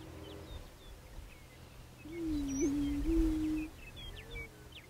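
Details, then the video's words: {'caption': 'A single low, steady, cooing hoot from a prairie chicken, around one and a half seconds long with a short pitch bump midway; scattered thin chirps and twitters from other birds over a rumbling background.'} "sounds of nature: prairie chicken"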